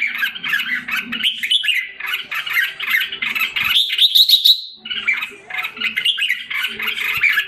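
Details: Red-whiskered bulbul in a Singapore cage, regaining form: hurried chattering song with a rising whistled run midway, then more jumbled squawky phrases, with a low background hum.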